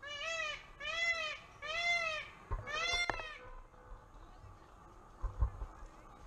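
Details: Mating call of a peacock at the LA Zoo: four quick, loud, nasal honking wails in a rapid series, then quieter background noises and a few thumps.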